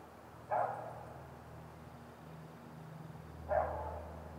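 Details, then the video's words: Great gray owl at its nest, North America: two short, mid-pitched barking calls about three seconds apart over a steady low hum. "Great Gray Owl Nest Cam"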